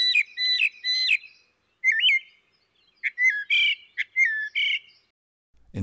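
A Northern Mockingbird sings bright whistled and slurred phrases, several repeated two or three times, shifting between imitations of other birds; a brief low thump ends it.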